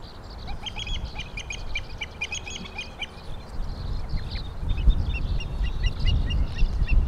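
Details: Killdeer recorded on 26 May 2012, giving a quick run of sharp, high repeated notes for about two seconds, then scattered single calls, over a steady low rumble of background noise.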